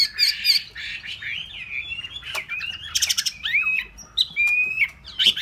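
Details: Loud, dense outpouring from a caged hwamei: harsh buzzy bursts mixed with clear rising whistles and short sliding notes, tumbling quickly over one another.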